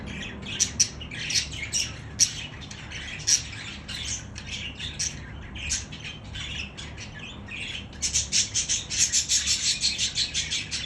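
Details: Budgerigar song meant to stimulate budgies: rapid scratchy chirps and squawks, closing in a fast run of evenly spaced clicky notes, over a low steady hum.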